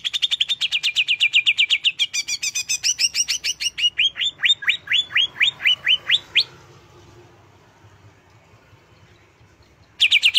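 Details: Emotion-rousing song of a greater green leafbird. A rapid rattling trill shifts into a series of rising whistled notes, falls silent for a few seconds, and then the trill starts again.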